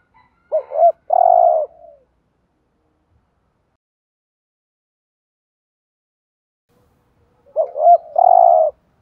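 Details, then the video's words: Decoy spotted dove giving 'thúc gù' coos meant to stir up wild males: two separate low phrases about seven seconds apart, each a quick double note running into a drawn-out, mellow coo, with silence between them. "chim cu gáy thúc gù BÀi BẢn/ tiếng chim cu gáy kích bổi và mồi rất xiêng gáy"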